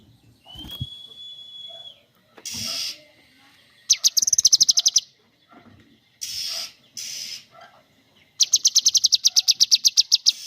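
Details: Cucak kinoi singing in bursts: a long steady whistle, then loud rapid trills and rattling chatter repeated in fast series, with short pauses between phrases.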